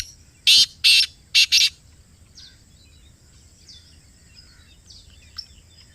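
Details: Black francolin calling from close range: four loud, harsh, rasping notes given in quick succession, the middle pair doubled, followed by quiet background with a few faint distant chirps.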